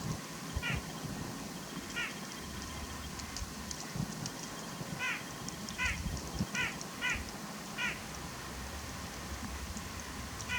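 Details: A puffed-up White-breasted Nuthatch on a sub-zero Midwest winter morning calls to other nuthatches with nasal, honking notes, about eight in ten seconds, some in quick pairs, over a low rumble of wind.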